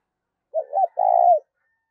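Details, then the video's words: Decoy spotted dove calling to lure wild doves: a low hollow coo phrase of two short rounded notes followed by one longer drawn-out note that falls away at the end, in otherwise silent surroundings. "Chim Cu Mồi Thúc và GÁY GỌi Căng Lửa, Kích Bổi Hiệu Quả"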